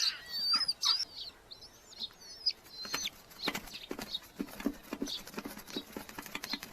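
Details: Red-footed falcon chicks in a nest box, large colony in Hungary, July 2025: a few high looping whistled squeals at the start, then mostly rapid tapping and scratching sounds.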